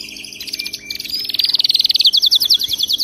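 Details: Canary singing, for training a pet bird to sing: a loud rapid trill of sharp high pulses, steady at first then turning into quick downward-slurred notes, with a faint hum underneath.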